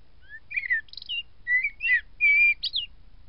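A blackbird sings a quick run of fluty whistles and scratchy twitters, each note brief and rising or falling, over a faint low rumble.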